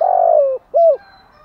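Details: Low, mellow coo from a spotted dove, used to provoke decoy birds ('kích bổi'): a long sustained note sliding slightly downward, then a short rounded hoot after a brief gap.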